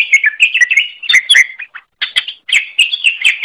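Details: Greater green leafbird song recorded as training material for teaching other songbirds: a lively, continuous stream of varied chirps, twitters and quick slurred whistles, in bursts broken by two brief pauses.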